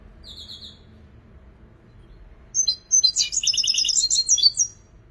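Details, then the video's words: Goldfinch song opening with a brief high rattle, then after a pause a rapid liquid twitter of sharp tinkling notes and trills lasting about two seconds, in a quiet setting. "حسون مبدع ما شاء الله"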